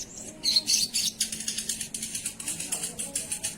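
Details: Sogon singing actively (gacor): a fast, rhythmic string of dry, scratchy pulses, about four each second, following a louder rasping opening.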